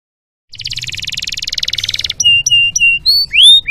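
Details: Canary singing a masteran training song, full isian: a long dense buzzing trill for over a second, followed by clear flat whistles and rising slurred notes, with a faint low hum behind.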